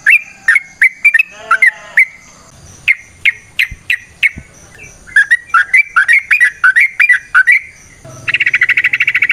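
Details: Yellow-vented bulbul in long 'ropel panjang' song used as a lure: bright slurred whistles in rapid runs, a short pause, then a fast run and finally a dense buzzy rattling chatter.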